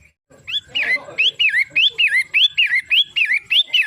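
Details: Long-tailed shrike (pentet matahari): after a brief low rustling start, a bright whistled note slurring up then down begins and repeats about twice a second through the rest of the recording.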